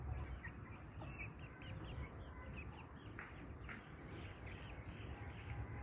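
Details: Pet hens and roosters of the Brahma breed give scattered short clucks and chirps, clustered in the first half and near the end, over constant low background noise.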